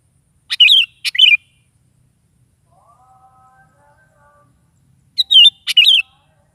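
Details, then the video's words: Sooty-headed bulbul singing in the morning, repeating twin phrases of sharp clicks and slurred whistled notes about five seconds apart. Faint tonal sounds are heard between them. "SUARA BURUNG KUTILANG GACOR DI PAGI HARI"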